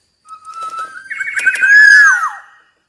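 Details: Black-naped oriole, known locally as kepodang emas, singing a fluted whistled phrase that starts on a steady note, rises, then slurs downward in rich warbling notes, with no other sounds.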